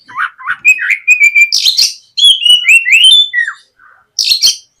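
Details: Oriental magpie-robin (kacer) singing loudly and freely, gacor ngeplong, as a morning lure for untrained birds. Opens with repeated low whistled notes, then a long run of sliding whistles and chirps, ending in a twittered burst.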